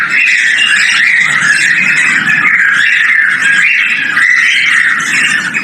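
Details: Male cockatiel whistling, a mating call during breeding: a loud, sustained, wavering whistled tone that holds steady throughout with slight rises and falls, over a low background rumble.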